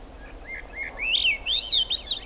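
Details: Swainson's thrush singing in the rain at the Squamish River Estuary on July 6, 2022: soft low notes building into an upward-spiralling series of fluting, rising whistled phrases.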